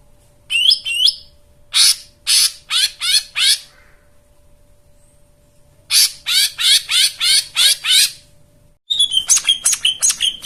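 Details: White-eye song with rich filler phrases, meant to set silent white-eyes singing: loud harsh chattering notes repeated about three per second in three separate runs, the last one faster and more clipped.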